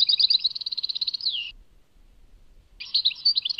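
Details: European goldfinch with Tadmait-type song: a rapid chattering trill that ends in a descending slur, over a second of quiet, then a renewed burst of scratchy twittering.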